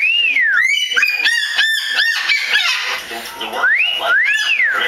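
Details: Pet male umbrella cockatoo making what its owner thinks is a mating call: loud, ringing, arched rising-then-falling whistles and nasal honks, several a second, with a man's voice talking faintly underneath.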